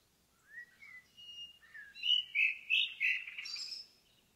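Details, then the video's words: In the forest an indigo bunting starts with soft slurred whistles, then four loud paired notes in quick succession, ending in a high buzzy flourish; a quiet background. "Indigo Bunting in the Forest"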